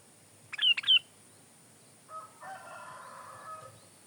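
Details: Sooty-headed bulbul, lively song for tutoring and luring: two quick sharp whistled notes, followed after a pause by a longer, lower, drawn-out crowing-like sound from another source.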